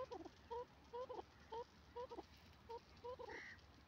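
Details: Grey francolin, known locally as dakhni teetar, gives a distant run of short, paired, clipped notes repeated about every half second, ending in a brief higher squeal, over steady low background hiss.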